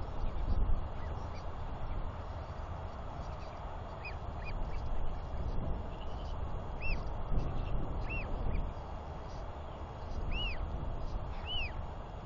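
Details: Royal albatross chick wheeing as it walks down a track toward its father for a feeding visit, 9 June 2021; several high arched whistled notes come late in the clip, spaced one to two seconds apart, over steady low wind rumble.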